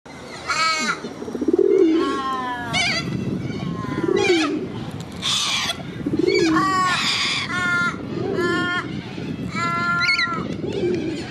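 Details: Corellas in Sydney's Centennial Park, Australia, described as aggressive toward other birds: harsh, screechy, harmonic squawks repeated about every one to two seconds, with low soft cooing from other birds beneath and a noisy park background.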